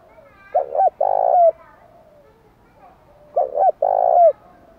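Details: Spotted dove fighting song to stir up wild doves: a pair of deep coos about three seconds apart, each a short double throb and a sustained note with an upward flick, over a quiet background.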